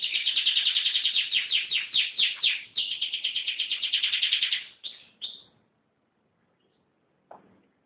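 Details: Canary singing in a lively, energetic state: a rapid run of bright, high trilled notes repeated about three per second for nearly five seconds, then two short notes, silence and a brief faint low call.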